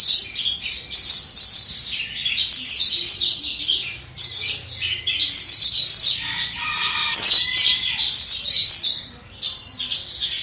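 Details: Javan bush lark owned by a songbird enthusiast, singing in the crystal-voice style from a distance: long loud bouts of high chattering trills and whistles, broken by short quiet gaps and one harsher burst.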